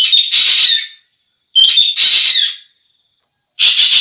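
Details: Loud, scratchy chattering calls of a green magpie, each opening with a short whistled note and trailing into rough buzzy noise. Three calls are heard over a faint continuous high tone.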